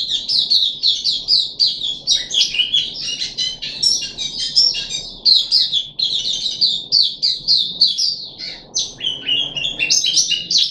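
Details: Caged puff-backed bulbul on the third deworming day, 14 July 2021, singing a long, unbroken babble of rapid chirps, trills and bright slurred whistles, loud and steady throughout.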